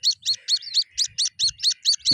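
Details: Handheld white-breasted waterhen chicks, caught and later freed, give ten evenly spaced shrill peeps, about five per second. Faint handling thumps are heard, and a knock comes at the end.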